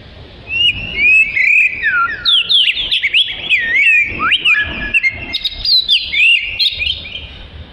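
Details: Oriental magpie-robin singing a rich medley of looping whistles, rapid rising and falling notes and sharp high chirps, delivered in a steady stream after a brief quiet start, over low background noise.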